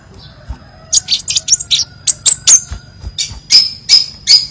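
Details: Crimson sunbird in a masteran recording with many variations: high, sharp chirps and short trills in quick, uneven bursts, some notes sliding upward, over a faint low hum.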